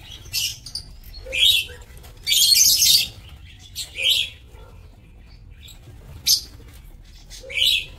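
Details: On 27 March 2024, aviary lovebirds kept for breeding give scattered sharp, high chirps. A longer, noisy screech comes near the third second, and brief low murmurs sound between some calls.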